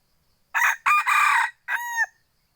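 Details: F2 hybrid junglefowl cockerel, a privately kept bird, giving one full crow: clipped first syllable, a sustained rough middle section, and a final tonal note held about a third of a second before falling off, in an otherwise silent setting.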